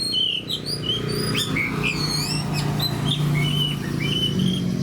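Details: Oriental magpie-robin in 'gacor' fighter-style song with other fighters near: clear whistled notes, some drawn out and slurred, spaced through the clip over a constant low mechanical hum.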